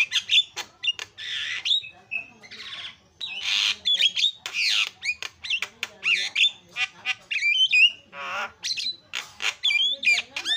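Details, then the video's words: Javan myna in loud, busy 'isian' tutor song used to train other songbirds: a dense stream of harsh squawks, buzzy rasping bursts and sharp whistled notes in rapid, irregular succession with brief gaps throughout. "SUPER BERISIK JALAK KEBO SUARA ISIAN"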